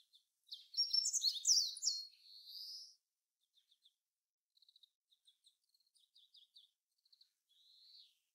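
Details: A Meadow Bunting from Japanese fields and grasslands delivers a loud, rapid tumble of bright, high, chirping notes ending in a slurred note, followed by quiet, spaced clicks and short trills and a faint closing slur.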